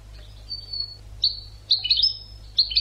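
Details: Educational European goldfinch song for training birds: high, thin drawn-out whistles followed by bright clustered twittering notes with sliding tones, in bursts over a faint low hum.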